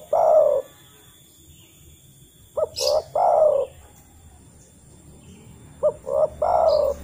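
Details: Spotted dove (Spilopelia chinensis) giving soft, low coos, two quick short notes then a longer drawn-out coo repeated every three seconds, a wild-type call to other doves, played as a lure to prompt captive doves to call.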